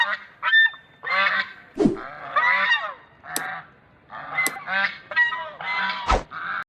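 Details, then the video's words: A flock of domestic white geese kept at a house, said to call angrily at anyone but their owner, with the largest a guarding male, honk loudly in overlapping, harsh nasal blasts, one or two a second, with a few sharp knocks. "Domestic Big White Duck Geese Birds"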